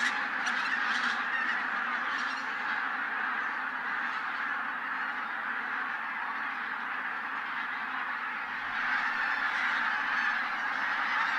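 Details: Winter flock of over a thousand Siberian-breeding bean and white-fronted geese at Teichland Linum, Brandenburg, before sunrise, rising and quickly settling again. Steady wall of cackling, honking voices, briefly louder near the start and again after nine seconds.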